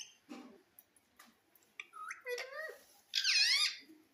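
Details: Pet green parrot with soft scattered clicks, then short upward-sliding notes, ending in a loud half-second shrill screech.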